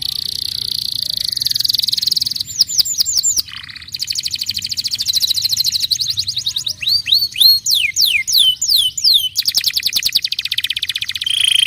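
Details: Canary song played to prompt untrained canaries to sing: rapid high trills of repeated notes alternate with sweeping downward-curved whistles, tours changing every second or two, with a brief lower buzzy note near the start.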